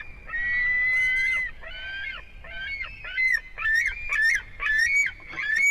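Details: White-tailed eagle at a nest with an eaglet, Durbe, Latvia, 13 August, from a live nest camera: long, high, slightly nasal yelping notes, first drawn out, then shorter and choppier, repeated in an uneven series.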